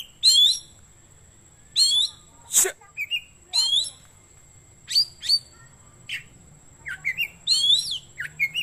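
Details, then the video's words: Oriental magpie-robin song meant for luring wild birds or tutoring caged ones; spaced high swooping whistles and short chattering phrases, with one sharp click-like burst and soft background noise. "Suara Burung Kacer Cocok Buat Pikat / Masteran"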